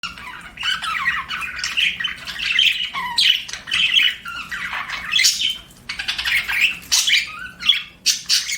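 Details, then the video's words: Pet budgerigar chirping: a busy, continuous stream of scratchy warbles and squawky chirps, dense bursts with short pauses throughout, no other clear sounds. "BUDGIE CHIRPING SOUNDS"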